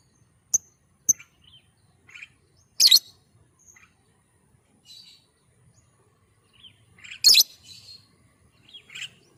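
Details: Lovebird calling as a lure: scattered sharp, high-pitched chirps and shrill squawks at irregular intervals, two louder harsh bursts standing out, in otherwise quiet surroundings.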